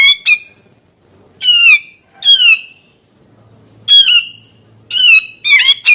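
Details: A grey-cheeked bulbul in lively song, played to draw other grey-cheeked bulbuls into singing, gives harsh overtone-laden downslurs at irregular gaps, ending in a tight burst of scratchy calls.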